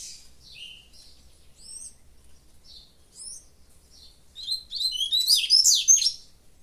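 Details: Caged double-collared seedeater singing while its cage is held in hand: high, clear whistled slurs, a few each second, ending in a fast, loud twittering burst; low background rumble.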